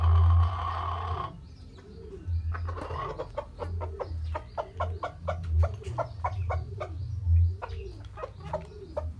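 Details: Polish chicken, also called helmet chicken, giving a rapid run of short, sharp clucks after a brief mid-pitched opening sound, the clucks bunched irregularly, over a steady low thumping music beat.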